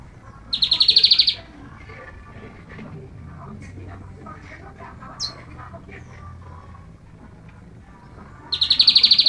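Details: Bengalese finch singing on a person's hand, giving two short bursts of rapid, buzzy, rattling notes several seconds apart, with quiet room noise and one thin high chirp in the pause between them.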